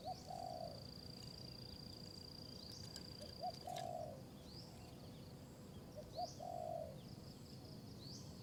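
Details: Wild spotted dove in high forest of Kanchanaburi, Thailand, drawn in by a decoy bird; a fairly distant, low cooing phrase of a brief note and a burry drawn-out coo, given three times, over steady insect hum and thin high bird chirps.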